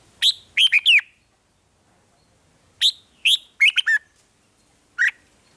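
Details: Red-whiskered bulbul in Thailand singing to stir caged birds: a short phrase of quick bright notes, silence, then a longer warbled phrase and a final lone chirp, against a quiet background.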